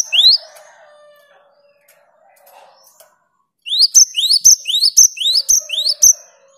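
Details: A great tit, prompted by another great tit's song, starts with one rising whistle, falls quiet amid faint low hum, then delivers a rhythmic string of upslurred notes each capped by a crisp high tick.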